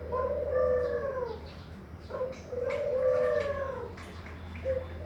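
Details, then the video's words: Dove cooing: long, mellow, low hooting notes that rise slightly then fall, repeated about every two and a half seconds, with a steady low hum in the background. "burung puter manggung"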